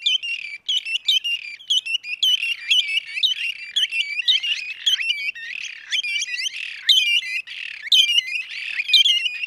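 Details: Red-and-white barbet, known in Somali as dhiirran, recorded in Somali wildlife: dense, bubbly chattering phrases of sharp notes, repeated about once per second with overlapping voices, no other sounds evident.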